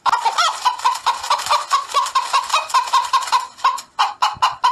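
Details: Chickens cackling at daybreak, a fast stream of loud, rough clucking notes, about two per second, ending in a few sharper separate clucks.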